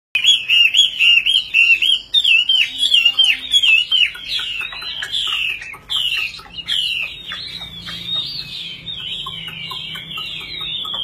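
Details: Tame caged Chinese hwamei, a good fighting bird, belting out loud song: rapid, varied whistled phrases, rich slurred notes tumbling up and down, delivered in quick bursts, softer toward the end.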